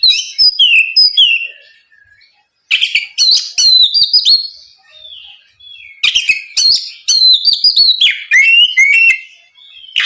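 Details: Energetic oriental magpie-robin song played to stir a rival into singing, two dense bursts of mixed whistles, slurred notes and chatter with a quiet gap between them.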